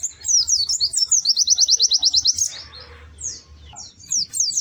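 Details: Pleci, a white-eye, in lively melodious gacor song: twittery high notes lead into a rapid run of evenly spaced chips, then a stretch of soft rustling noise and a few scattered high twitters.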